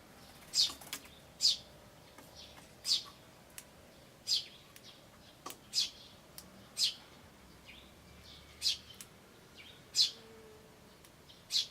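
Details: Eurasian tree sparrow chicks and adults recorded 10 May 2013: high, short chirps spaced about a second apart with faint softer notes between, over a quiet background hum.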